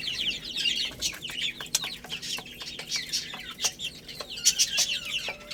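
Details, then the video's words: Chicks at play and eating, giving a busy tangle of high, piping chirps that fall in pitch. Frequent sharp ticks and knocks break through the constant peeping. "Cute Little Chicks Chirping Sounds"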